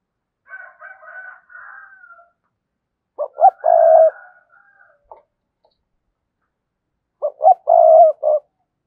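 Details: Prompting coo of a 'cườm sa' spotted dove: two deep four-part phrases about four seconds apart, each with a long rolling middle note. A softer, higher, wavering cooing from another bird comes at the start.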